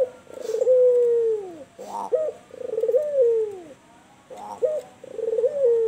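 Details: White albino turtle dove (puter) cooing vigorously in the kuwor bekur style: each phrase is a short rising note, then a long mellow coo sliding gently downward, given three times with brief pauses. Faint steady hiss in the background.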